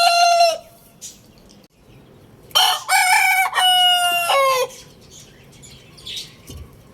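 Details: Lohmann Brown rooster crowing: a short harsh call, then a long drawn-out crow of several syllables with a strained, rising-then-falling ending; faint other crowing behind.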